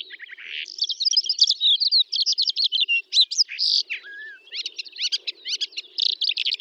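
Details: Calandra lark (Melanocorypha calandra) singing in the Astrakhan trans-Volga steppe, Russia, May 2017: a fast, unbroken song of high chirps, rattling trills and scratchy buzzes changing every few notes, with no other sounds.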